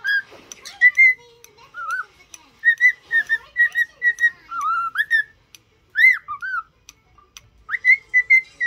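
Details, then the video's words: Pet cockatiel in song training, a happy singing bird: a tuneful run of bright whistled notes, some rising and some falling, in short repeated phrases with brief gaps. No other sounds stand out. "Happy cocktaiel singing"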